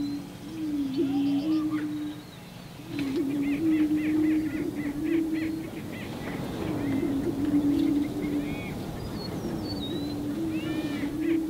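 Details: Greater prairie-chickens displaying on a lek during their mating ritual. Males boom with low, hollow, overlapping hoots about two seconds long rolling one after another, with higher cackles and whoops above.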